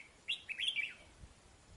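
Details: Caged red-whiskered bulbul decoy in northern Vietnam, nearly done moulting, uttering a single short liquid whistled phrase that rises then falls, with faint background hiss.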